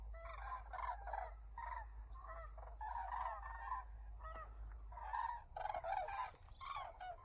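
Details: Trumpeting flock of common cranes flying back at dusk to the roost at Embalse de Los Canchales. Loud, resonant bugled calls come in bursts of overlapping voices with brief gaps, over a constant low background hum.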